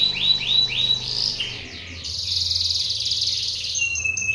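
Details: Canary in full, lively song: a few rising whistled notes repeated at the start, then a dense high buzzy trill, and a thin sustained high whistle near the end.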